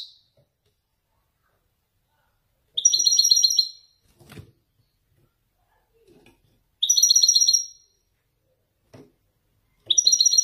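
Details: Caged male Widani goldfinch singing authentic Marrakech nzoulat: short bright twittering phrases ending in a held whistle, repeated roughly every three to four seconds, with soft knocks and clicks between them.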